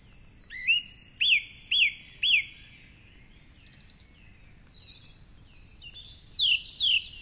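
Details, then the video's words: Male song thrush singing from the top of a tall tree by the Curragheen River path, Cork City, in the dark at dawn; a down-slurred whistle repeated four times, softer varied notes, then another phrase given three times. "Dawn Chorus with Song Thrush"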